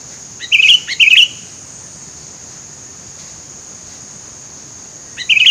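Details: Sooty-headed bulbul calls in a thicket, used to lure birds: three short bubbly chirped phrases, two close together early and one at the end, over a steady high hiss.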